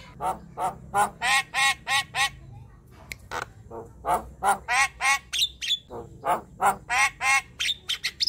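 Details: A young Javan myna gives harsh, nasal, squawky notes about three per second, with a few thin, higher squeaks mixed in.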